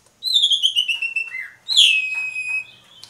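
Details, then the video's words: Asian pied starling, called jalak suren, singing in an energetic gacor mompa style: a loud, clear whistled note sliding down, a short lower slur, then a bright rising-and-falling whistle held steady. "PANCINGAN JALAK SUREN, JALAK SUREN GACOR MOMPA"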